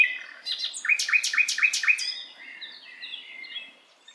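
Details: Tutor recording of an Asian brown flycatcher for songbirds to copy: a few chips, then five loud, evenly spaced, ringing downslurred notes, followed by a soft, rambling, high warble.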